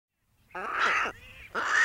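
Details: American white pelican in the wild giving harsh, nasal honking squawks in two bursts, separated by a quieter, lower-pitched grunt. No other sounds are heard.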